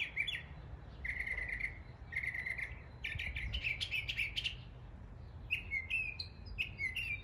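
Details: Northern mockingbird in East Tennessee imitating local birds: varied phrases of clear whistled notes around mid-high pitch, each repeated several times in short bursts, switching to new rising and falling notes, with low background rumble.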